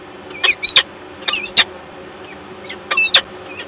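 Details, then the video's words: Common starling, agitated and calling loudly, Gdańsk, Poland, 29 August 2022; harsh grating calls given in short pairs with pauses of about a second between, six or seven notes over faint constant hiss. "Ster podenerwowany głośno krzyczy"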